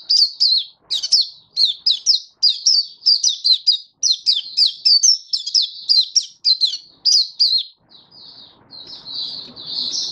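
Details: Oriental white-eye (mata puteh) in a happy song display on 24 February 2023 sings a rapid, high, twittering song of thin descending notes in tight bursts, then softer chirps over a faint low hum.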